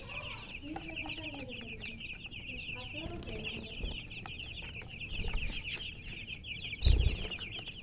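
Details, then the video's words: Baby chickens peeping constantly in high, quick chirps that run through the whole stretch, over low rumbling noise and a loud knock near the end. "MURGI Baby "Chicks Chirping" Sound"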